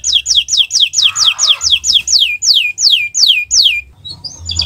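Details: Canary singing in the 'owor-owor uhuii' style as a training recording. A long series of sweeping descending whistles starts fast and slows toward the end, followed by soft twittering.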